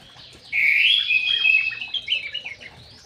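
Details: White-rumped shama in an aviary bursting into a loud continuous warbling phrase of rich rising and falling whistles, tapering into scattered softer notes.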